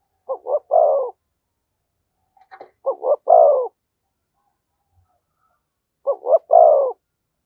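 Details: Spotted dove calling in the thúc gù style close to a decoy bird; three deep phrases at uneven gaps, each two short quick coos followed by one longer drawn-out coo, with a faint click between phrases.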